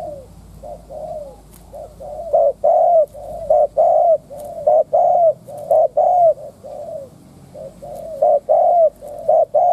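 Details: Spotted dove used as a lure to goad wild doves, cooing fast and continuously: short wavering notes alternate with longer slurred coos in dense runs, loud and slightly distorted.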